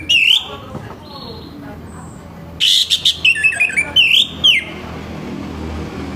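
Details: Coarse morning singing of an orange-headed thrush, aimed at getting others to sing: a looping whistle, then a rapid run of short, buzzy, clipped notes and two more curling whistled phrases.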